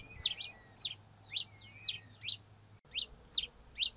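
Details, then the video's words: Song of the red-crested finch, Coryphospingus cucullatus: a brisk series of bright, high downslurred chips, roughly two each second, with faint thin whistled lines between them and one brief click midway. "O Canto do TICO TICO REI (Coryphospingus Cucullatus) Bird Song - Red Crested Finch"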